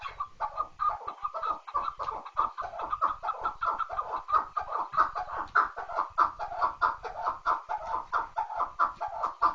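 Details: Chukar partridge calling in a steady, rapid series of harsh clucking 'chuck' notes, about one and a half per second, run together into a continuous chattering rhythm.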